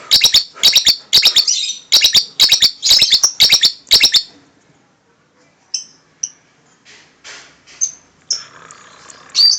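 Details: Lovebird with strange sounds: a rapid series of loud, high, clipped chirps for four seconds, then a quiet stretch broken by a few scattered short squeaks and tweets.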